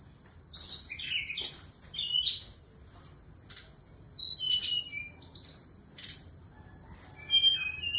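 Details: Morning song of a female Sunda scarlet minivet; scattered high sweet whistles, downslurred notes and squeaky chips in loose clusters, with pauses between phrases and a steady faint electronic whine underneath.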